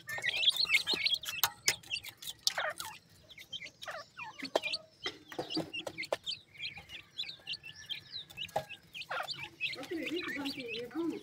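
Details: Pheasant chicks feeding: many short, high, upward-slurred peeps scattered among sharp pecking clicks and taps, with lower clucking notes near the end.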